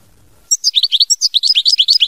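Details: European goldfinch delivering mama binette style song: a fast, unbroken twittering stream of high, tinkling, slightly buzzy notes, roughly eight per second, after a brief silent lead-in.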